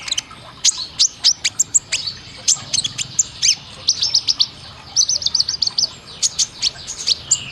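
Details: Rapid, high-pitched sunbird chips and short tinkling trills, used as training song for caged birds, tumbling out in dense clusters with tiny gaps, becoming especially fast toward the end; soft background hum throughout.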